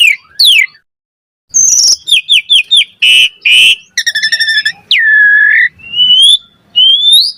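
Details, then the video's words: Singing Asian pied starling used as a bait sound: a falling whistle, then a series of clipped chirps, two rasping blasts, a buzzy trill and long clear whistles, some sliding upward. "Pancingan Jalak Suren Gacor Cepat RESPON Auto NYAUT Buat Masteran Suara Burung Jalak"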